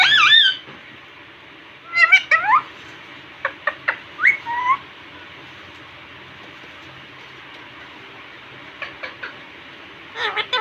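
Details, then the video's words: Indian ringneck parakeet chattering in a cute voice before a mirror indoors: wavy warbled phrases, a short run of sharp clicks, a brief rising whistle, then quiet before more clicks and a closing burst. "Cute Talking Parrot in front of mirror"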